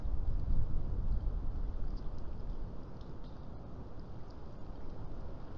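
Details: Deep rumbling wind-like noise fills the recording, strongest in the first second, with no animal calls heard.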